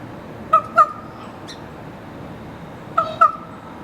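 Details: A raven in downtown Juneau, Alaska, early morning on June 28, 2019, gives two quick pairs of hoarse, nasal squawks a few seconds apart, each note short and ringing, over a low steady background hum.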